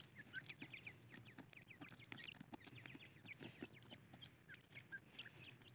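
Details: Female francolins (Irani teetar) in a group chatter with dense, quick chirps and short squeaky notes that overlap throughout, over a low rumble and scattered knocking sounds.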